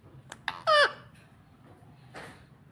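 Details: Green ringneck parakeet giving one loud, harsh, harmonic-rich screech lasting a fraction of a second, after two short clicks; faint, breathy noise follows near the end in a quiet setting.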